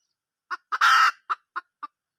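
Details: Two clucks, then a loud, grating squawk, followed by three more evenly spaced clucks from a wild junglefowl hen.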